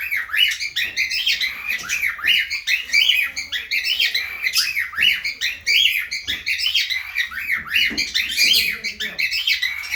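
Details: Cockatiels in an aviary in breeding mood, dense continuous chirping and warbling with rapid repeated rising-falling notes, several birds calling together over a steady low hum.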